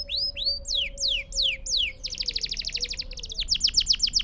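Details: Canary song for teaching young birds to sing: loud, slurred whistles falling in pitch and spaced about a third of a second apart, then a rapid rattling trill and a burst of sharp repeated notes, with a steady low tone behind.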